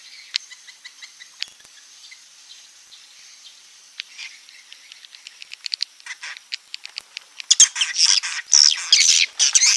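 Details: Edible-nest swiftlets giving a klepek-klepek roosting call: soft sparse clicks and faint chirps at first, swelling near the end into loud, crowded twittering bursts.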